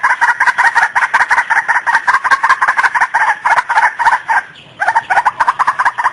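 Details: White-breasted waterhen lure call for trapping: harsh, croaking notes repeated rapidly and almost without pause, with a brief break near the end before the series resumes.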